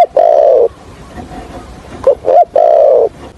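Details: A decoy spotted dove of the thổ Hạp bổi voice style, kept for trapping, gives low coos. A long held note is followed after a pause by two clipped notes and another sustained, slightly falling coo.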